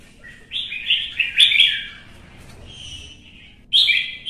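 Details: Caged red-whiskered bulbul provoked into competitive song: a loud, rich warbling phrase of rising and falling whistled notes, a quieter trailing note, then another sharp burst beginning.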